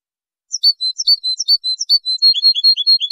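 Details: Goldfinch song recorded for tutoring young birds, 2023: a fast, continuous stream of high, tinkling twitters and chirps that speeds into a regular run of quick notes.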